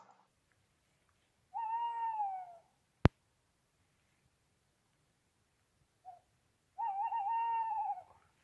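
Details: During a night owl survey using playback from car speakers, a tawny owl answers with two drawn-out, wavering mid-pitched calls about five seconds apart, a sharp click between, over faint low rumble; recorded on a mobile phone.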